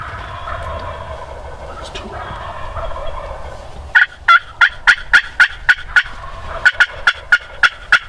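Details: Wild Turkey gobbler in spring snow during a turkey hunt: a quiet start, then two bursts of rapid rattling gobble notes, about nine and then seven pulses, each sharp and throaty.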